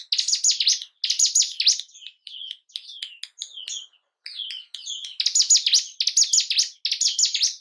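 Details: Bar-winged prinia song for rousing caged birds' breeding drive and aggression: loud buzzy phrases of high sweeping notes about once a second, interrupted by a run of short separate chirps.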